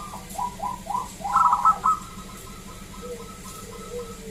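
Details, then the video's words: Local zebra dove: a row of short falling coos leads into a fast burst of clipped notes, followed by fainter, lower drawn-out cooing. "Perkutut lokal Gacor SUARA ASLI KRISTAL MERDU Ampuh Mengundang Bunyi Semua Perkutut Lokal"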